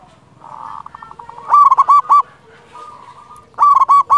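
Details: Local zebra dove in full song with a big voice, used as a lure to make other zebra doves sing: a softer rolling coo series, then two loud bursts of ringing, bubbling coos at about one per two seconds, with fainter coos from other doves behind.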